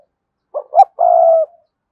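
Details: Spotted dove of the kind called cườm sa, cooing to spur other doves to coo: two short low hoots then a long, steady, hoarse coo, one phrase, in a quiet setting.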